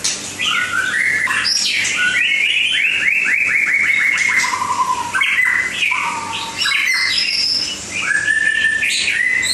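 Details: White-rumped shama from Langkawi singing a rich, varied song of loud whistled phrases, with sweeping slides, a rapid trill-like run and high sharp notes, almost unbroken.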